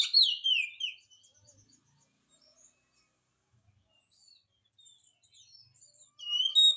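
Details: Oriental magpie-robin in full song, used to prompt reluctant magpie-robins to sing back: a burst of loud, descending whistled phrases, then a near-silent pause with faint notes, then high whistles resume at the end.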